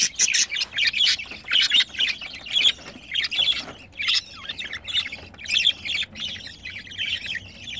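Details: Two pet budgerigars mating produce a busy stream of scratchy warbles and chirps, delivered in short bursts separated by brief pauses.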